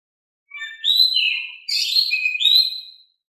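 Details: An Oriental magpie-robin sings smoothly and softly, used to prompt other magpie-robins to reply. One continuous phrase of sweet, falling whistles is followed by a dense warble and a final upward-swinging whistle, with no other sounds.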